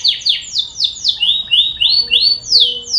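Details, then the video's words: Canary lure song to start canaries singing: a steady tour of loud, high, downward-sweeping whistled notes, about four per second, with a slight change of note shape midway. "Suara pancingan kenari"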